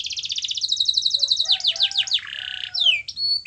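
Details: Canary singing to stimulate another canary: a long rapid trill, several swooping descending notes, a buzzy roll and a falling whistle, high-pitched and varied.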